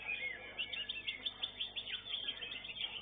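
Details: Greater green leafbird singing at a songbird contest, where it took first place, in a fast, varied stream of bright chirps and short whistled slurs, about one or two notes a second, over a steady background murmur.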